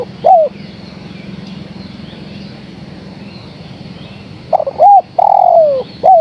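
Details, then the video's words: A female spotted dove calls the male. The tail of one cooing phrase is heard first, then about four seconds of quiet hum, then a new phrase of a stuttered coo, an arched coo, a long falling coo and a short final coo. "Suara Tekukur Betina Gacor Memanggil Sang Jantan"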